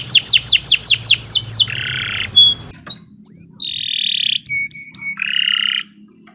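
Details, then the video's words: Canary song with a row of quick descending notes, then a harsh low buzz, isolated high whistles, a sustained buzzy trill and a rasping churr, with pauses between phrases. "Kicau Burung Kenari 114 II GACOR PANJANG Cocok untuk Masteran"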